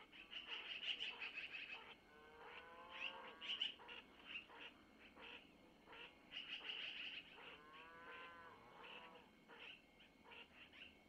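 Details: Little long-eared owls begging as the mother, given prey by the male, feeds them at the nest in Missoula at dawn on 25 April 2024; bursts of shrill rapid squeaks alternate with lower, stacked, wavering calls.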